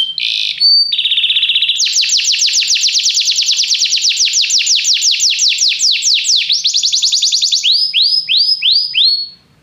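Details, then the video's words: Canary singing to encourage another canary to sing: brief chirps and a low rolling buzz, then a long fast trill of falling sweeps that slows into spaced looping whistled notes, ending in silence. "Este canto canário inspira o apetite do seu canário para cantar imediatamente"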